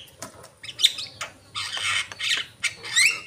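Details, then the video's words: Asian pied starling singing: grating squawks and rasping chatter with a few sharp whistled upslurs, delivered in uneven bursts. "jalak kebo gacor"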